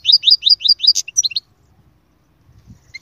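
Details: Goldfinch song of the kind said to prompt a silent bird to sing: a run of rapid, rising, twittering notes repeated about twice a second, a sharp click, then a few brief chirps before quiet.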